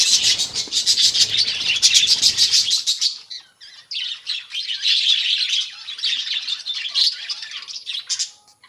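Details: Budgerigars living as a colony instead of in cages, loud rapid chattering and twittering from many birds, briefly dropping off before the overlapping warbles resume, with a faint low rumble at first.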